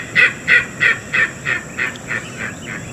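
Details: King Rail in Tallahassee, Florida, giving a run of about nine grating, evenly paced kek notes, roughly three per second, strong at first and fading away, with a faint steady high hum behind.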